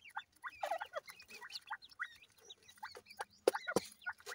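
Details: Grey francolin chicks, known locally as irani teetar, giving short, sharp peeping notes in quick, irregular bursts, several overlapping, with a couple of louder clicks near the end.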